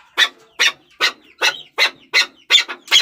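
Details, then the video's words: Eight harsh, broadband chuck notes from a Chukar partridge, spaced about a third of a second apart, the last ones doubled. "Chakor Ki Awaz || Chukar Partridge Sound"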